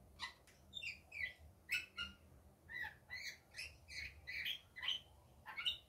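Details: Daytime rainbow lorikeet chatter of harsh, high squawks and shrill chirps in quick irregular bursts, several per second, over faint low background hum.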